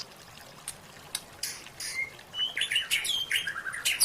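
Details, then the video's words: White-rumped shama song from a training recording for caged birds, full of rich fill-in phrases: faint scattered ticks, then from midway a quick run of clear, varied whistled notes, slurred rising and falling, mixed with sharp ticks. "White Rumped Shama Song"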